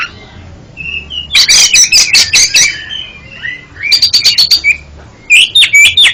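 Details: Oriental magpie-robin song meant to correct a bird that stutters: bursts of rapid, scratchy notes, a brisk series of sharp high chips, and short whistled slurs between them.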